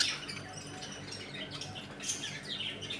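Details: Budgerigars in a home colony eating, playing and fighting, with dense, overlapping high chirps and warbling chatter running continuously, a few sharper squeaks standing out near the end.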